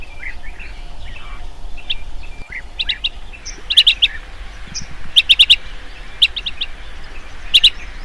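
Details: Blue-tailed bee-eater, an insect-eating bird, calling at dusk; short clipped chirps in quick bursts of two to four, repeated every second or so, over a faint background of other distant bird calls.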